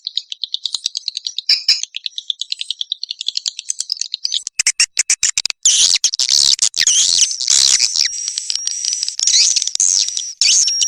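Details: Swiftlet lure call in the "tombak raja" style, played to attract swiftlets into swiftlet houses: rapid high chirps repeated nearly twice a second, then denser overlapping buzzy twitters and trills in the second half.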